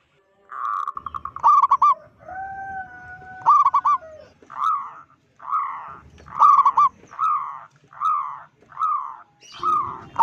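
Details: Strong-voiced local zebra dove calling to unsettle other zebra doves: a pulsed trill, then stuttered coos and a series of separate drawn, slightly falling cooing notes. A steady two-toned whistle sounds briefly in the background.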